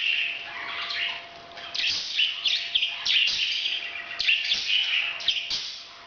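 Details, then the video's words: Parrot giving breeding calls: a busy run of harsh, scratchy chirps and short buzzy bursts, high-pitched and tightly packed, with brief loud peaks around the second and fourth seconds. "bird's breeding sound"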